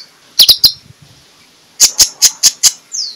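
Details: Oriental magpie-robin (konin) in the morning, calling to provoke other magpie-robins. Three quick sharp chips are followed after a pause by five evenly spaced loud ticking notes. A short falling whistle comes at the end.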